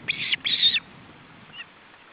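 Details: Osprey nest in Estonia, July 2012, male and chicks during feeding: two loud, harsh whistled notes in quick succession, the second longer, then a faint distant chirp.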